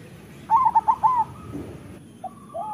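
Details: Perkutut, a local zebra dove, delivers one quick rolling phrase of four warbled coos. A flat tone and two soft lower coos follow. Recorded as a master song to get quiet doves singing.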